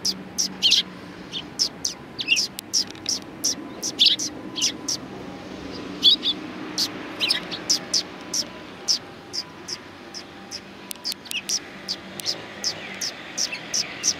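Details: Sparrows at a Tenmangu shrine in Japan on 1 March 2020 keep up a steady stream of short, sharp chirps, several birds overlapping, above a soft low hum.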